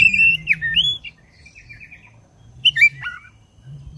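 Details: Black-breasted oriental magpie-robin song used to provoke a caged bird into singing: clear whistled notes, sliding and rising phrases, then a pause before a sharp, twisting burst, over a faint low rumble.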